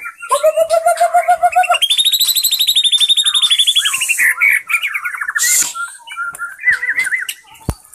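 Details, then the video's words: Indonesian white-rumped shama in full song: a fast trill of low fluted whistles, then a long high ringing rapid series, followed by varied warbles, twangy slurred notes and a brief harsh rasp. "MURAI BATU MEWAH MAIN SATU TITIK"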